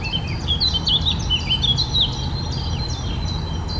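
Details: Eurasian blackcap (Sylvia atricapilla) delivering a clear, fluty warbled phrase of quick slurred whistles that rise and dip, loudest in the first two seconds, then softer notes trailing off over low background rumble.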